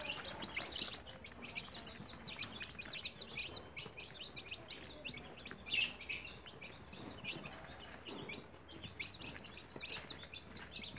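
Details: Home-raised newly hatched chicks in a cage give an unbroken stream of thin, high cheeps from many birds, with a brief louder scuffle or bump around the middle.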